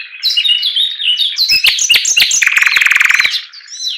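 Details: Melodious Chinese hwamei song of swooping, rising and falling whistles that runs into a fast, even trill of rapid notes before fading.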